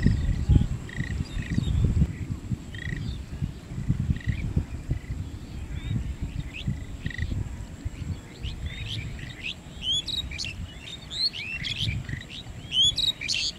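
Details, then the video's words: Lesser whistling duck in Manikganj: short whistled notes repeat about once a second, then a burst of higher, sharper chirping calls near the end, over heavy low rumbling background noise. "Lesser-whistling Duck in Manikganj"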